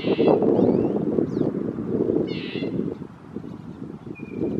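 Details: Red-breasted nuthatch giving two short nasal, harmonic-rich calls about two seconds apart over steady low rumbling background noise, with a few faint thin chirps from other birds.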